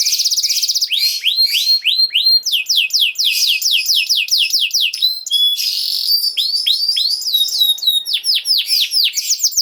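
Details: Canary singing a tutor song used to train young canaries to sing: rolling tours of rapid, downward-sweeping whistled notes, with a brief buzzy rattle near the middle and fast trills throughout.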